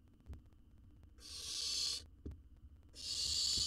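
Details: Wild owl nestling in a monitored research nest box in Israel, feeding on a jird: two long, harsh, breathy hissing screeches about a second each, separated by a short pause, with faint low thumps and background hum.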